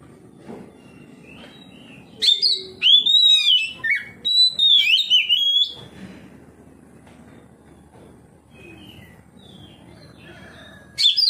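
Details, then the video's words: Oriental magpie-robin (kacer) singing loudly in reply to another kacer, unloading its repertoire: a dense three-second run of sweeping whistles and twittered notes, followed by a long quiet stretch and one last sharp whistle. "KACER NGEPLONG KACER LAIN LANGSUNG RESPON NGEPLONG BONGKAR ISIAN"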